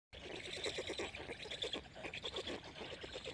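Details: Five hungry black stork chicks at a nest in Jõgeva County, Estonia, beg while eating fast, giving a hoarse, wheezy chatter of rapid pulses, several voices overlapping into a continuous hissing clamour.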